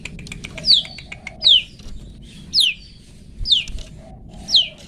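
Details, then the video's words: Long-tailed shrike 'toet toet' song for training pet birds: clear, steeply falling whistles, about five in five seconds, each followed by softer lower notes. "Cendet toet toet Cocok Untuk Masteran Cendet macet"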